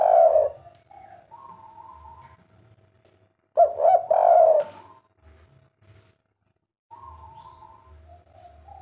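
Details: Spotted dove, a kuk 3 style singer, giving two short bursts of low hollow cooing, one at the start and one midway, separated by quiet stretches with a faint steady hum in the background.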